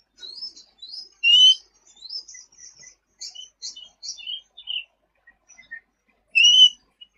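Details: Sooty-headed bulbul song for training other cage birds: soft high twitters lead into a louder whistled note, then scattered chirps and a few thin notes, with a second loud whistled note near the end.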